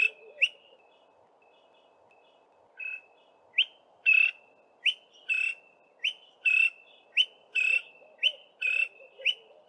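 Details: A male Greater Honeyguide in southern Africa calls from a song post to advertise presence or attract a mate. It repeats a high, ringing two-part note about every half second to second over a soft hiss.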